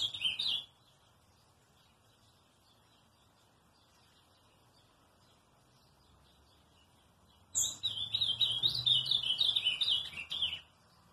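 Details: Ultramarine grosbeak: the tail of one song, then a long silent pause of about seven seconds, then a full three-second phrase of quick, tumbling, whistled warbles.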